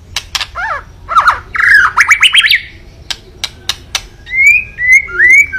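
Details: White-rumped shama, kept bird, sung to provoke a rival: sharp clicks and crackles, fast descending and rising slurred notes, a burst of bright rapid phrases, then pauses and clear rising whistles near the end.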